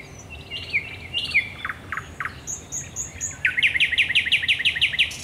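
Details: Thrush nightingale in nocturnal song at the Raszyn Ponds, Poland, 10 May 2021: falling whistles and clipped notes build into a long, rapid, rhythmic series of loud repeated strokes, about eight in under two seconds.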